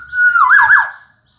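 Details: Brief burst of Black-naped oriole song: a clean level whistle leading straight into a loud, throaty double loop that slides downward and stops abruptly.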